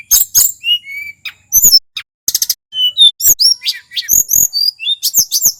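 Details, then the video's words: Wild local male tledekan from Mount Merapi singing in full voice: a fast jumble of high thin whistles, sharp chirps and short buzzy bursts, with brief pauses between phrases. "Suara asli tledekan gunung merapi FULL GACOR"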